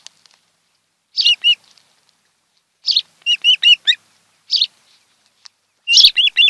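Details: Osprey pair at a Kent Island, Maryland nest on a July 2018 afternoon: clusters of two to four high whistled chirps, each cluster opened by a raspy note, repeating every second or so.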